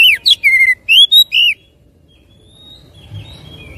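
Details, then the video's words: Oriental magpie-robin song meant to stimulate a second bird to sing: a fast phrase of about seven whistled notes, sliding up and down, lasting a second and a half, then near silence. "PANCINGAN SANGAT AMPUH KACER CEPAT GACOR NGOTOT BONGKAR ISIAN"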